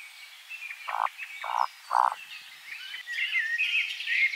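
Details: Eurasian woodcock (Scolopax rusticola) roding call into nightfall in a spring forest, with birds singing and displaying in flight: three low, frog-like croaking grunts about half a second apart, then thin, high squeaky notes.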